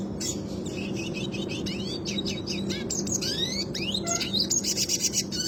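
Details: Red siskin in classic rolling song used as a tutor recording: a fast, continuous twitter of thin, rising whistles and trills, with a low steady hum underneath.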